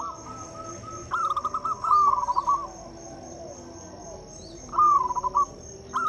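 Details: A local zebra dove sings to prompt quiet doves into song: three short phrases of rapid, rolling coos separated by pauses, with a faint steady high whine behind.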